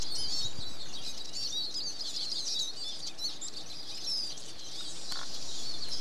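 Eurasian siskin giving a fast, continuous high twittering with squeaky, wheezy notes throughout, over a low background rumble.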